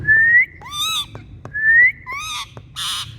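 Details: Rose-ringed parakeet (Psittacula krameri), call.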